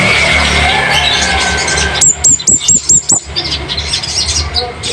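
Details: Scarlet-headed flowerpecker, called cabean bunga api, recorded as tutor song for caged birds. A quick run of six piercing, very high notes, each with a sharp click, follows a noisy, humming background.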